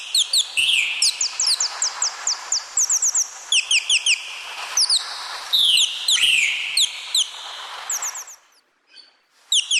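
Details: Dense, busy parrot chirping, with many short falling notes overlapping in quick clusters, a few louder scratchy calls, then a brief near-silent pause before the chirps resume.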